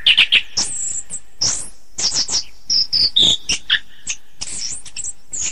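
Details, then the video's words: Orange-headed thrush song, varied and rich: rapid sequences of sharp high whistles and chirps, short notes falling and rising, dense bursts with brief gaps, steady loudness throughout, no other sounds noticeable. "Masteran Anis Kembang"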